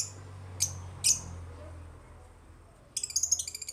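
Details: African lovebirds: two thin, sharp chirps, a long pause over steady low hum, then a fast chattering series of high notes.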